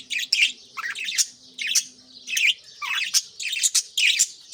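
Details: Budgerigar morning chatter among pet birds tending chicks in nest pots: rapid, buzzy chirps and sharp high squeaks in uneven bursts, with brief quiet gaps and a faint low hum beneath.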